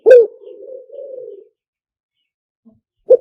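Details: Spotted dove luring call meant for playing through a loudspeaker: one strong low coo followed by a long, level, slightly wavering hum, then silence and the start of a second coo.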